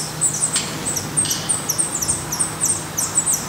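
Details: Black redstart nest in Portugal with young: bright, high, thin notes in quick irregular pairs and triplets, joined by a couple of soft scraping sounds.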